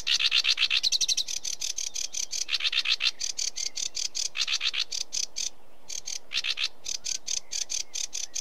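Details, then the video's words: Sedge warbler singing a fast, harsh chattering run of dry, buzzy notes, repeated about four times a second in bursts, with a brief pause mid-phrase before the rattling resumes. "Sedge Warbler Bird Call Bird Song"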